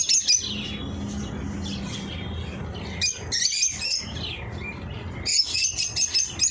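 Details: Eye-ring lovebirds calling with shrill, buzzy chirping bursts at the start, middle and end, separated by quieter stretches, over a low steady hum.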